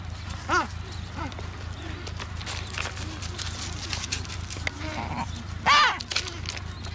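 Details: Adélie penguins nesting on Paulet Island, Antarctica, where some 150,000 pairs breed, on 1 February 2019: two loud, bleating calls, one early and one near the end, with softer colony noise and a low rumble between them.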